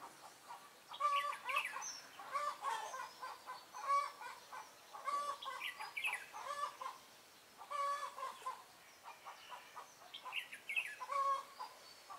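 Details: Red-whiskered bulbul, a decoy bird singing to fight during trapping, recorded 23 March 2018: fast, rattling 'ché' chatter bursts about once a second, with harmonic, buzzy notes repeated in short, energetic phrases.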